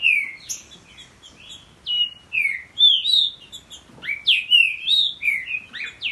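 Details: Two captive Green-winged Saltators, a champion father and his young offspring, trade loud, clear whistled phrases, often overlapping, in a quick back-and-forth singing duel.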